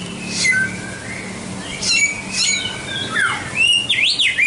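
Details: Samyong song: level whistled notes giving way to a steep descending slur and then a fast, wavering trill-like flourish at high pitch.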